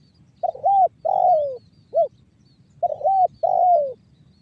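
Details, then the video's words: Spotted dove giving the banggo bocor song style, used as a lure so other doves start calling: mellow coos, a long downslurred coo and a short clipped note, then the phrase begins again; faint background hum. "SUARA TEKUKUR BANGGO BOCOR"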